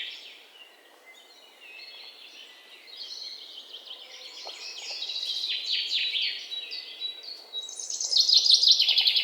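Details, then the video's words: Bird chirping that builds from quiet scattered twitters into loud, fast, high trills and buzzy chatter near the end, several birds overlapping above a faint hiss. "1 hour bird chirping sound"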